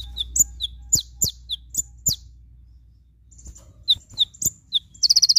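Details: Olive-backed sunbird (konin) tutor recording: a run of sharp, high, irregular chirps and downslurred ticks, then a pause, more chips, and the start of a fast rattling 'tembakan' burst at the end, over a low hum.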